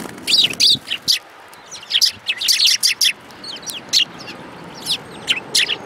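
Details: Sparrows crowding around food at a Tenmangu shrine in January 2018; busy overlapping chirping, bursts of rapid sharp notes clustered together, then scattered single chirps.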